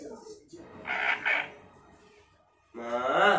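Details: A pet Indian talking parrot's speech-like voice: a short word, two harsh raspy syllables, a pause, then a rising, nasal, drawn-out phrase.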